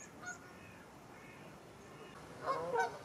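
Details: Canada Geese in a flock of over 100 grazing in a Wiltshire stubble field, UK, October 2019; a faint honk, then a loud double honk near the end, with quiet flock murmur behind.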